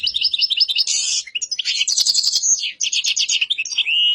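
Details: Black-headed goldfinch song, a fast liquid twitter of high notes broken by harsh buzzy bursts, a few slurred chirps and a rising whistled note at the end.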